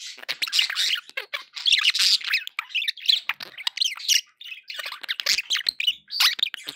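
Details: Pet budgerigars chattering happily in a dense, nearly continuous mix of overlapping scratchy chirps, squeaks and warbles. Several birds may be calling together.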